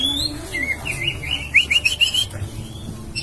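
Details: Song of an Oriental magpie-robin, played so that another bird responds within seconds. A string of bright whistled notes rises and falls quickly in a wavy phrase, over a constant low background hum.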